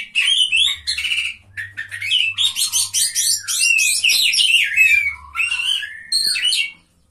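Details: Contest-singing Oriental magpie-robin delivering fast, varied whistled phrases mixed with harsh chatters and descending slurred notes, nearly nonstop, over a faint low hum.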